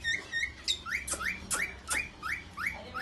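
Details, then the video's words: Indian ringneck parakeet giving a run of short rising chirped notes, about three per second, each sliding upward, with sharp clicks between. "Indian parrots talking video"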